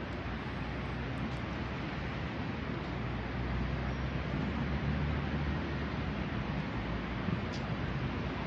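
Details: Constant hissing, rumbling background noise, like traffic or wind, with no crow or other animal calls.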